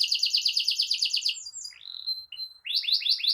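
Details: Domestic canary in full, nonstop song meant to tutor young birds and coax quiet canaries into singing: a fast rolling trill of repeated notes, a sliding whistle, a short pause, then another quick rising series.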